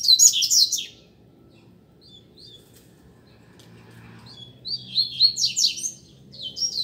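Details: Double-collared Seedeaters in a caged song duel: an opening burst of harsh, fast, descending notes, a quiet pause with faint chips, then a sequence of bright, rhythmic chirped phrases.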